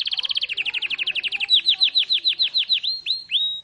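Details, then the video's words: Canary singing a rolling song: a rapid trill of high chirps that slows into separate, downward-sweeping whistled notes, with a final drawn-out note. "SUARAA BURUNG KENARI NGEROLL PALING MANTAPP"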